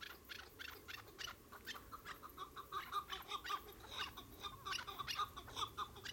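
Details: Chukar partridges chattering, with clipped chuck notes in quick irregular sequences rising to a busier, louder stretch midway, several birds seemingly calling together.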